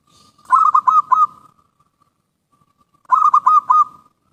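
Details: Lure song of a zebra dove (perkutut): two repeated phrases of four fast, trilled cooing notes at a level pitch, each trailing off into soft faint ticks before the next phrase about three seconds later.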